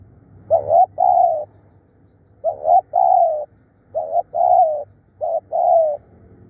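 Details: Hard-working decoy spotted dove, four two-note phrases in steady succession: a quick coo then a fuller, longer coo sliding down, repeated roughly every one and a half to two seconds.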